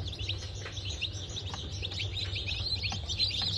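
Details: A freshly hatched brood of Bantam Cochin and Sussex chickens from a 3 November 2024 hatch gives rapid, thin, high peeps, several per second, falling in pitch, layered over a constant low droning hum.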